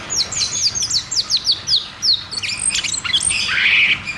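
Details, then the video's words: Cucak cungkok singing ngeroll tembak, used to coax silent caged birds into song: a quick series of piercing, falling notes about four per second, then a buzzy, harsh stretch near the end. "Therapy dan Pancingan Burung Macet Bunyi || Cucak cungkok Ngeroll tembak"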